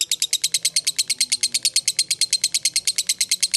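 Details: Lovebird, fighter type, in sustained ngekek song used as a lure: a dense machine-gun series of shrill, squeaky notes, roughly seven each second, steady in rhythm and loudness.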